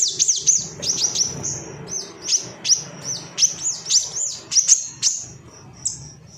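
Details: Male Ruby-cheeked sunbird singing agitatedly to call out rivals: high sharp downward-swept chirps repeated in short clusters, some thin held whistles, over a soft low hum.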